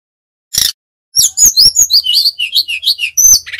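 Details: Brown-chested jungle flycatcher from Bali: one short noisy burst, a pause, then a lively stream of high looping whistles, each rising and falling, repeated about five times per second in flute-like style.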